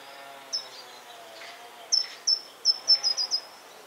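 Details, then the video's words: Short-toed treecreeper in the countryside of central France, Nouvelle-Aquitaine, on 13 March 2018: a single high thin note, then a run of about seven sharp, very high, evenly spaced notes over faint background hiss. "GRIMPEREAU des Jardins/Cris et Chant !"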